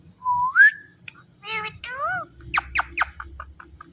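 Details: Indian ringneck parrot talking: a clear rising whistle leads into a quick run of harmonic, voice-like syllables, then a series of sharp, short chirps that thin out toward the end, indoors.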